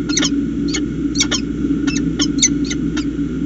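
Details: Nest conversation of peregrine falcons at Charles Sturt University in Orange, New South Wales, July 2019: about nine harsh, clipped chips in three and a half seconds, steady low hum underneath.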